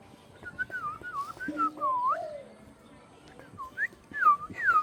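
A pet parrot gives a run of clear, swooping whistles, rising and falling in quick succession.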